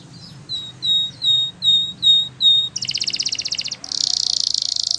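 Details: Training song from a canary: five clear, high whistled notes evenly spaced about every 0.4 seconds, followed by two dense, buzzing rattling trills, with a faint low hum underneath.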